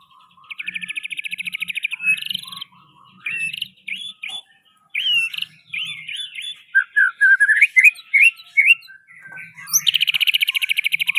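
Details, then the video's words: White-rumped shama (murai batu) in 'pastol' style with a rich 'isian' fill: bright whistled phrases, fast upslurred and downslurred notes, and rapid buzzy trills in bursts with short pauses between. "murai batu pastol isian mewah"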